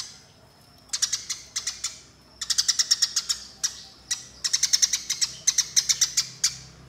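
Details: Eurasian tree sparrow, a fighting sparrow, giving rolling calls: rapid bursts of sharp, high chirps, several per second in quick rolling runs, with brief pauses between bursts.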